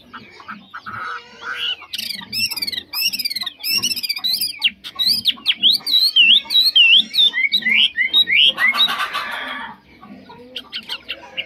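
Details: Chinese hwamei, 'mộc chuyền' type, kept caged; after scratchy clicks and shuffling, a burst of fast trilled and zigzag whistles, then a hissing noise and quieter rustling.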